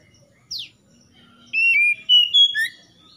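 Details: At dawn, with morning dew, an oriental magpie-robin gives a quick falling note, then a sustained run of rich, clear whistles that step up and down in pitch, ending on a short dropping note.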